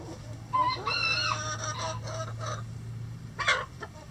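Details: Rooster crowing among chickens relaxing and scratching in the coop: a short harmonic, sustained crow phrase after some clucks, then a sharp higher note near the end, over a steady low hum.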